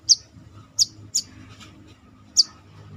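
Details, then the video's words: Brown-throated sunbird (kolibri kelapa) kept in a cage and trained for confidence, giving four thin, very high, sharp chirps over three seconds, the first three close together and the last after a pause, over faint low hum. "MELATIH MENTAL mental burung korlap (Kolibri kelapa)Manggar...dengan cara ini pasti cepat gacor."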